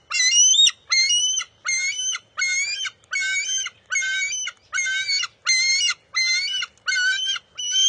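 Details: Eaglet of the bald eagle, keeping a fish from its mother at the nest on June 23, 2021, calls in a long rhythmic series of about eleven shrill, buzzy-edged screams, one every two-thirds of a second.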